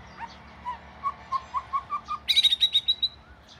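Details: Oriental magpie-robin of the southern type, the home's first bird, delivers a run of evenly spaced soft mid-pitched notes that rise into a fast, loud, high chattering trill ending in a thin whistle.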